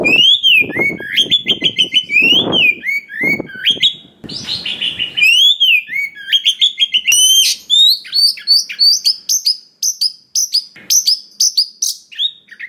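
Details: Oriental magpie-robin of wild forest stock, used as a lure to provoke other birds into singing, delivering a varied song packed with many phrases: clear whistles near mid pitch, rising and falling slurs, sharp chips, plus a brief buzzy rasp.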